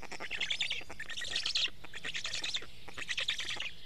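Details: Hungry Black stork storklets at a nest in Estonia, morning feeding with fish on 29 May 2018; loud raspy begging in bursts of fast pulses, roughly once a second, with short pauses.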